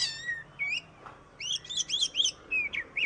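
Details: Model song of an oriental magpie-robin for tutoring other cage birds: clear descending whistles, then a rapid run of rich, slurred warbling notes and short upswept whistles repeated near the end.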